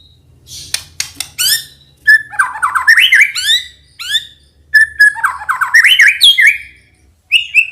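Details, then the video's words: White-rumped shama song played as a model for young speckled birds: scratchy clicks and harsh notes, then two rich warbled phrases of looping whistles, separated by short pauses. "PANCINGAN BURUNG MURAI BATU TROTOL AGAR BUNYI"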